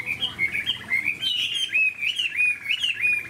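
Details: A large-bodied, 72 g caged Chinese hwamei, not yet fully tame or in peak form, sings confidently when left alone. It gives a rich, continuous run of loud, clear whistled phrases, rising and falling, with slurred notes about every half second.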